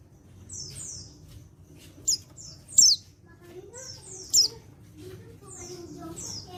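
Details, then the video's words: White-eye male from Pacitan, untrained, giving calls meant to get other white-eyes to respond: thin descending whistled slurs and three bright sharp notes, with softer lower twitters and low steady background noise. "Panggilan Burung Pleci Jantan Bahan Pacitan Ini Bisa Bikin Yang Lain Ikut Nyaut"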